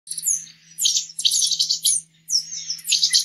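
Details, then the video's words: Green-headed tanager singing: bursts of very high, thin, sibilant chips and short descending slurs in quick clusters separated by brief pauses, over a steady low electrical hum. "saira 7 cores o canto mas lindo da natureza"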